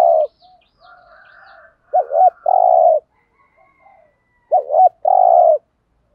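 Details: Local spotted dove giving its provoking coo, used to stir up and lure wild males: a wavering two-part note followed by a sustained low hoot, repeated twice about three seconds apart, with soft murmurs between.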